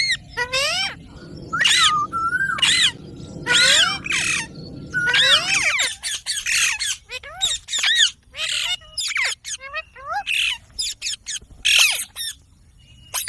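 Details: Green pet Indian ringneck, a rose-ringed parakeet (Psittacula krameri), talking: a rapid run of harsh, high squawks and chattering, speech-like phrases, about one burst per second; a low background hum fades after the first few seconds.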